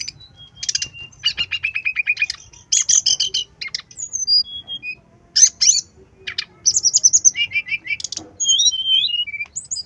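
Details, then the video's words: Brown-chested jungle flycatcher in vigorous song, used to make other birds sing. Fast chattering trills, buzzy rattled bursts, scattered high whistles and short twittering runs follow one another with brief pauses. "SUARA SRDC GACOR PANCINGAN SRDC BIAR BUNYI"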